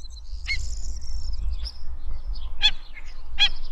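Black-winged Stilt giving three sharp, nasal yapping notes spaced about a second apart, over a low rumble of wind or traffic.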